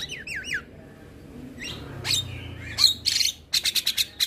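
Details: Javan myna singing in the morning: three quick looping whistles at the start, a rising slur and a held tone, ending with a fast series of short clicks.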